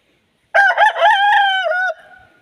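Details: Aseel rooster crowing: one loud, drawn-out crow about one and a half seconds long, a rough broken start settling into a sustained steady note that drops at the end, over a quiet background.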